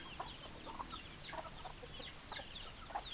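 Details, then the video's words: A chicken flock with hens clucking: quick high squeaky chirps and short lower clucks, about one to two notes a second, irregular, with steady background noise. "Chicken Sounds Noises Hens Clucking Roosters Crowing"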